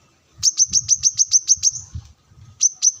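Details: Brown-throated sunbird (local name kolibri manggar), sunbathing and calling opponents near wild birds, delivers a quick run of nine piercing high notes followed by two more after a short pause.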